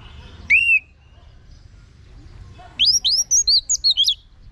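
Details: Orange-headed thrush song used as a vocal tutor for kept birds. A single clear whistled slur is followed after a pause by a fast burst of varied high, bright, looping whistled notes.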